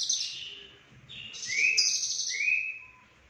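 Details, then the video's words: Lovebird singing in the konslet style, full of fill-in phrases, from Cililin: dense buzzy high chatter broken by rising whistled sweeps, with brief pauses between bursts. "Lovebird Konslet Full Isian CIlilin"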